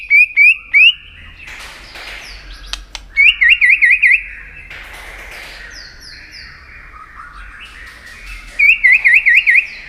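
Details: White-rumped shama, a tail-flicking bird used to stir another shama into contest singing, giving loud clear whistled phrases: rapid wavy repeated notes near the start, middle and end, with quiet gaps and faint rustling between.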